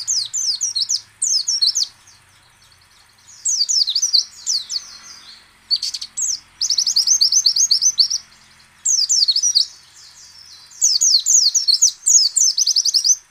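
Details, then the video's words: Lure song of a white-eye (pleci), in the ngecal, ngalas and nembak styles, played to set other white-eyes singing: repeated bursts of shrill, fast twittering notes, each phrase about a second long, broken by brief silences and one sharp rustle. "PLECI ngecal, ngalas dan nembak AMPUH memancing pleci buka paruh."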